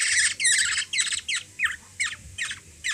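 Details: Hungry Black-naped oriole being hand-fed by a young child in the Philippines: a loud buzzy squawk run at first, then separate rasping calls about every half second.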